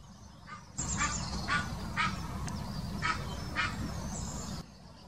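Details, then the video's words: Egyptian goose in the Wittlicher Senke, Germany (2018), gives what is described as a mating call: harsh, raspy honks about twice a second in a short series over a steady low rumble of wind or traffic. "Der Paarungsruf des Nilgans"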